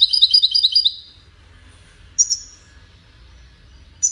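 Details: European goldfinch singing Widani-style song meant for training chicks: an opening second of fast, pulsing high trills, followed by single sharp, high chirps spaced well apart with quiet between them.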